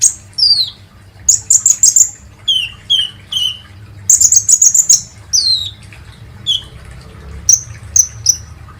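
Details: Kolibri ninja sunbird lure song for prompting birds to sing: thin, downslurred whistles alternating with short bursts of rapid high trilling and a few sharp, spaced notes.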